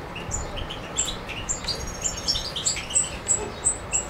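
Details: European goldfinch in Macedonia, July 7, 2011: a run of high tinkling notes and short chirps, ending in a steady series of bright ticks roughly every third of a second.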